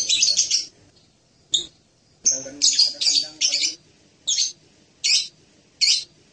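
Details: Hanging parrot (serindit) giving a burst of buzzy shrieks, then a cluster of harsh, high squeaky calls and several short separate chirps about every second.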